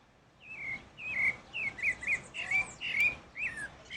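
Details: Pale-breasted thrush (Turdus leucomelas) singing in the wild: a run of loud, clear whistled phrases, each slurring up then down, delivered in quick varied succession about twice a second over a soft background hiss.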